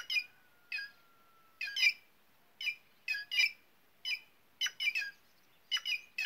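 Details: White-naped jay, a noisy, curious bird of caatinga, dense cerrado and open gallery forest in semi-arid northeastern Brazil, giving harsh, raspy squawks, single or doubled, repeated irregularly about every half second; a faint steady whistle-like tone underneath at the start.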